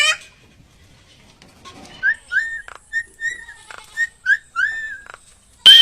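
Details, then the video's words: Common myna in Bangladesh, known locally as shalik: a run of short whistled notes with slight upward inflection, repeated about twice a second, with a few clicks between them and a sharp burst at the end. "Common Myna Bird Sound ! Shalik Pakhi Bangladesh Birds ! Shalik Pakhi dark ! শালিক পাখির ডাক"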